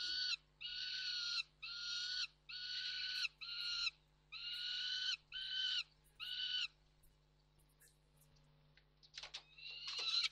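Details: Three peregrine falcons at Reda Koksik, 29 June 2024, repeat grating, rasping calls about once a second for several seconds, then fall quiet before a few scratchy, broken notes close the recording. A low background hum runs throughout.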